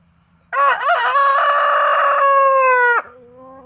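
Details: A white and golden criollo rooster of the double-breasted type crowing: one loud, rich, harmonic cock-a-doodle-doo lasting about two and a half seconds, opening with quick wavering notes and then holding a long, level tone that breaks off abruptly.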